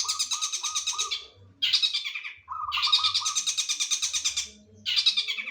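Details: Singing long-tailed shrike using "sambung tengkek boto" material. Loud, harsh, rattling trills alternate with a softer run of lower repeated notes and short gaps, while a faint low hum sits in the background.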